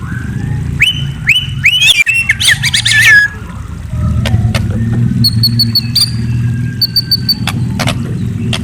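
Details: White-rumped shama at night producing a quick run of rising whistled sweeps and tumbling chirps, followed by scattered clicks and short high paired notes over a low rumbling background.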